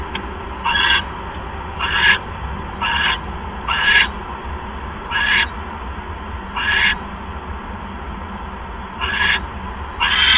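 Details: Owl at its nest during a mouse delivery, the second of the evening, at 6:33 PM on 1 January 2015. Short, harsh, hissing bursts come roughly once a second, with gaps between them, over a steady low background hum.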